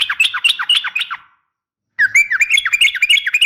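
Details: Sooty-headed bulbul, a female calling a male, used as a fighting call to make other bulbuls answer; two bursts of rapid, chattering notes slurring up and down, separated by a short pause.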